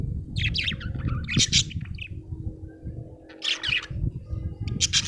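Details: Happy pet budgerigar chirping: short bursts of bright, warbling chirps high in pitch, in clusters separated by pauses, over steady low-pitched rumbling background noise.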